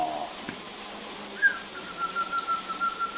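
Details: A zebra dove, a contest bird with a small voice that has won many trophies, gives a thin, drawn-out cooing whistle that holds one high pitch with a faint pulsing quality.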